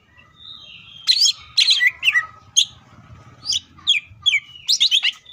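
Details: Cucak ijo (leafbird) in full tembakan song: a soft thin whistle opens, followed by loud clustered high chirps and falling slurred notes, repeated in short bursts over a faint low hum.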